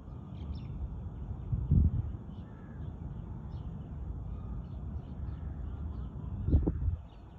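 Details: Crow giving two harsh, low caws, one near the two-second mark and another near six and a half seconds, over a steady low rumble of outdoor background noise.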